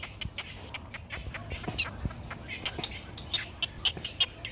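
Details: A Great Egret chick in its nest, sitting in sunshine waiting for a parent to bring food, begs with rapid, dry ticking clicks in quick irregular bursts, sharp and fairly high, over a faint low background rumble.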